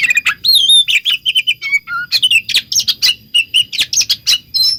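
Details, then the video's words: Magpie-robin singing, used as a lure to make other magpie-robins reply: rapid, loud stream of varied whistles, clear sliding notes and harsh chips, nearly continuous with brief gaps. "Pancingan Suara Kacer Pasti Kacer Anda Nyahut Bikin Konslet"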